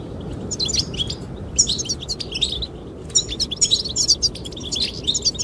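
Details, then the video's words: Goldfinches sing to draw a female: dense clusters of bright, high twittering and trills, a brief lull in the middle, then another lively burst, all over background wind. "the chirping of goldfinches"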